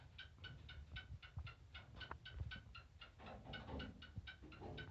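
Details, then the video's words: Black francolin giving a steady run of short, harmonic, nasal clicking notes, roughly four per second for about five seconds, over a constant low rumble of background noise. "Kala teetar speaking funny"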